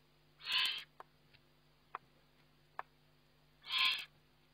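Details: Feeding session of a Eurasian eagle-owl on a webcam, 29 May 2011: two wheezy, hissing bursts about three seconds apart, separated by a few sharp clicks, over a faint electrical hum.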